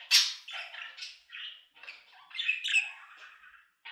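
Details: Budgerigar warbling in short varied phrases, with squeaky chirps, buzzy rasps and a loud opening squawk, separated by brief pauses.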